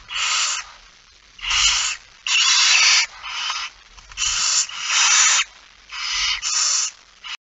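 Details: Barn owl at a nest in Fryslân, Netherlands, on an evening in September 2019, as the male brings the first mouse of the night; harsh broadband hissing shrieks in about eight bursts, each under a second, with short gaps between.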